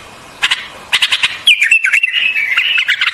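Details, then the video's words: Single sustained whistled phrase of a white-eared bulbul, gliding and wavering with small dips, following a few sharp ticking clicks. "White-Eared Bulbul Song"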